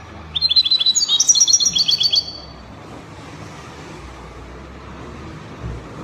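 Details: European goldfinch singing the Spanish copia style, Morocco: a quick burst of about fifteen sharp, tinkling notes rising and falling over two seconds, then quiet with faint background hum.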